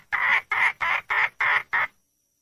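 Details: Wild hen red junglefowl calling to find a mate, giving six harsh, evenly spaced squawks about two per second, each bright and nasal, with silence around them.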